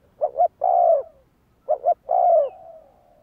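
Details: Spotted dove used for training decoy birds, giving two short rising notes followed by a long descending coo, with the phrase repeated twice in quiet surroundings.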